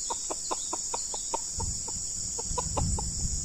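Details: Red junglefowl, with a decoy bird facing a fierce wild male: a steady series of short clucks, about five per second, against a constant high-pitched insect buzz and a low rumble in the second half.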